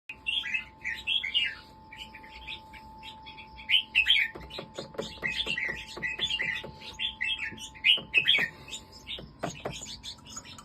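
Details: Caged hybrid red-whiskered bulbul of a competition line with a doubled song style, from Nakhon Si Thammarat, Thailand, singing continuously. Short, bright, warbled whistled phrases repeat over a steady electrical hum, with sharp clicking sounds in between.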